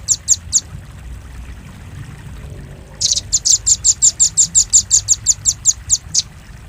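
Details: Lure call of the velvet-fronted nuthatch, used to draw birds in: three high, sharp chips, a silent gap of over two seconds, then a steady fast run of piercing chips with a final lone note.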